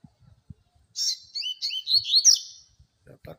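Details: Double-collared seedeater singing a quick, bright phrase of short, high whistled slurs and rising and falling notes, run together for about two seconds, with faint low knocks and handling noise before and after.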